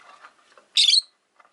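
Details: From a cage of five pet rosy-faced lovebirds by a window: soft low chattering twitters, then one loud, grating chirp, followed by a faint trailing note.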